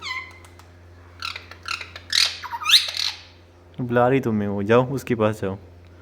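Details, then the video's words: Pet parrot mimicking speech indoors: high squeaky whistled notes and harsh raspy squawks, followed by a run of speech-like syllables with wavering harmonics, including repeated meow-like sounds. "Mithu talk everything | Pure voice"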